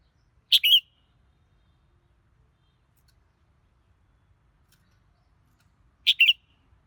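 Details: Red-whiskered bulbul singing two crisp, sharp whistled phrases of two or three quick notes each, separated by about five seconds of near silence.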